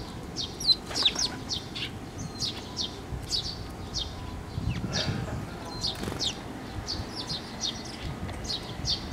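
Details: Sparrows, including newly fledged chicks, flying in to a water bridge at a shrine to be fed on 11 May 2024: a busy chorus of short, bright chirps, rapid and overlapping, with a low background rumble.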